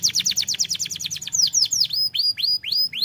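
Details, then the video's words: Canary song used to trigger other canaries into song: a quick rolling trill of high notes slowing into loud separate downward-curving whistles, each sweep fuller and spaced wider apart. "kenari lain langsung bunyi dengar ini"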